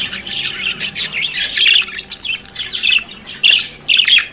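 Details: Budgerigar song: a stream of raspy chirps giving way to bright repeated warbled phrases roughly every half second, over a faint background hum.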